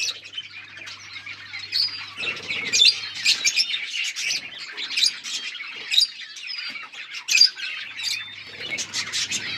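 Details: High twittering and sharp squeaky notes from lovebirds during mating, a busy run of overlapping calls with a few louder peaks and short whistled slurs.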